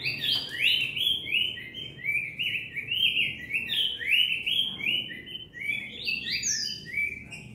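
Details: Cinnamon tanager singing at length: a continuous, fast, twittering warble of short sliding notes that rise and fall without a break through the whole stretch, over a faint low background hum.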